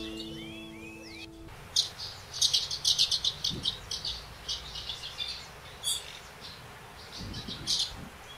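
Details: Eurasian crag martins at a winter night roost on a church facade in Ourique, Baixo Alentejo, Portugal, growing agitated after sunrise and starting to fly, give short, high, dry chirps in irregular bursts, a few per second, after a brief musical tone.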